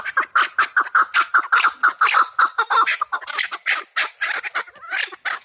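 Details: Pamir chukar partridge, wild, calling in a run of clipped chuk notes that start evenly spaced, then turn rougher and more ragged toward the end.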